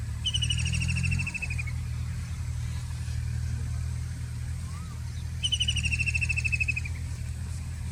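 White-throated kingfisher giving two loud, rapid, rattling whinnies, each about a second and a half long and dropping slightly at the end, over a steady low traffic rumble.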